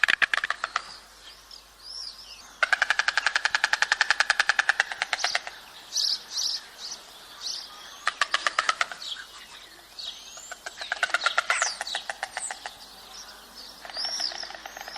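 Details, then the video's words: White stork bill clattering, the dry rapid rattle made by striking the bill, as heard at nests in breeding season: several bursts of fast, evenly spaced clicks lasting one to three seconds each, with chirping birds between. "SONIDO DE CIGÜEÑA"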